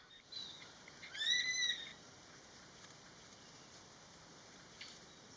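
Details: Greater racket-tailed drongo (Dicrurus paradiseus) in a garden in western Thailand gives one clear, slightly rising whistled call lasting under a second, over a steady high insect drone.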